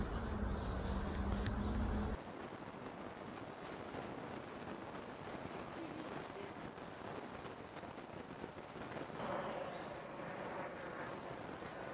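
Only a heavy low rumble of wind or handling, then steady broadband outdoor noise with faint distant murmurs; no clear animal calls.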